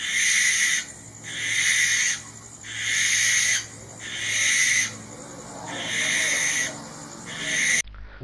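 A Barn Owl gives six harsh, hissing screeches, each about a second long, repeated roughly every second and a half; the sound then cuts off abruptly.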